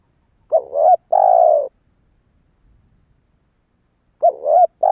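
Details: Coos of a spotted dove meant to attract wild doves: a quick wavering double note, then a long steady falling coo, silence for about two and a half seconds, and the wavering notes returning.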